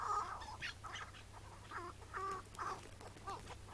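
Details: Chukar partridge in May 2017, morning, during a trapping struggle; the bird was later released where it was caught. Short harsh chuck notes with banded harmonics come in irregular bursts, with pauses between them, over a low steady hum.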